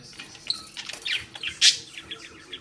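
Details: Pet budgerigar hen, furious that the ball on a string stays tied, makes a short burst of scratchy high chirps ending in one loud harsh squawk.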